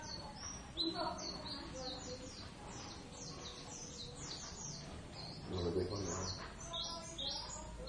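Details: Duetting Javan Oriental white-eyes, subspecies javanus, practising ngeriwik song for the first time; dense high-pitched chirps and short slurred whistles run throughout, with faint low voices and handling noise in the background.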